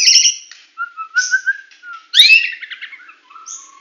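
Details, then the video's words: Medan-type white-rumped shama singing loud whistled notes, low level whistles and harsh rising bursts, with short pauses between phrases and no background noise. "Murai Batu Medan Full Tembakan"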